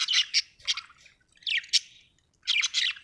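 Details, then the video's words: Happy budgie giving loud, harsh squawky chirps in three short bursts, each a tight cluster of bright, rasping notes separated by brief gaps. "happy budgie chirping sound"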